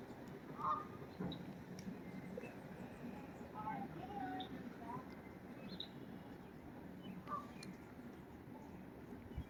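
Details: Geese calling in a garden where a cat is present: a few distant nasal honks, the clearest near the start and near the end, with softer honks between over a steady low rumble.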